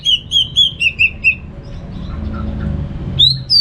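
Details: Orange-headed thrush (anis merah) singing in the ngeplong style: a run of clear whistled notes repeated about four times a second, then a pause and two higher whistles, with a low background hum.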